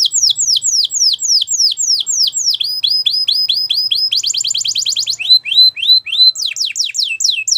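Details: Singing Gloster canary delivering rapid cascades of down-slurred whistled notes, switching to a tight buzzy trill midway, then rising and falling whistled phrases.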